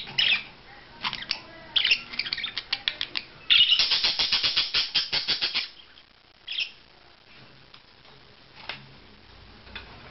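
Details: Budgerigar courtship display: a few squawky chirps, then a fast run of about twenty sharp clicking notes in a regular train, followed by sparse single chirps and quiet.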